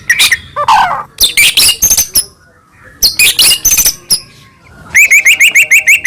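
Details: White-rumped shama from Medan singing loudly as a lure for captive birds: broken bursts of harsh, scratchy notes and squeaks, with pauses between them, ending in a quick series of clear, rising whistles.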